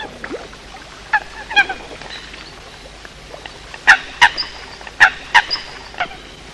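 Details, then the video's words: Eurasian coots calling at night near the end of the 2020 season, recorded in a night bird-trapping setting: nasal, honking notes, single or in quick pairs, loudest near the end, over a quiet background. "tiếng sâm cầm đánh đêm cuối vụ 2020"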